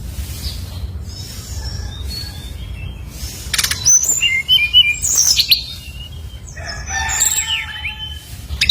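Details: Lure song of a brown-chested jungle flycatcher meant to provoke others into singing: quiet start, then a burst of sharp high whistles and quick twittering notes mid-clip, and another cluster of tangled phrases near the end, low rumble underneath.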